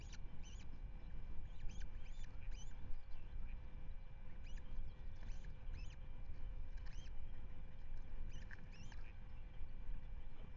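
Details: Osprey nest at Manton Bay on 10 May 2025, webcam sound: repeated thin, sharp chirping whistles in bursts of two or three, fairly faint beneath a continuous rumble of wind.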